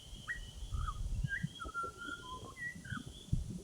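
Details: Australian butcherbird giving a string of sweet, fluting whistles, some rising and some falling, spaced through the phrase, with low background rumble and a faint high hum.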